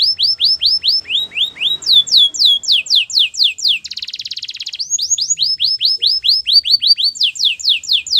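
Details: Spanish Timbrado canary song with repeated swooping whistles, a soft lower passage, a brief buzzy metallic roll, then more series of clear curved notes at a lively pace.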